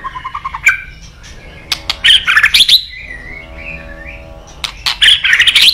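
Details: White-rumped shama with sharp clicks and bursts of harsh, chattering notes, separated by a soft low whistle and quieter pauses.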